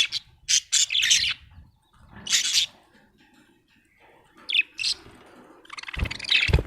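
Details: Budgerigar described as happy, giving bursts of bright, scratchy chirps and chatter in short clusters separated by pauses, with a final rapid rattling warble and some low background rumble.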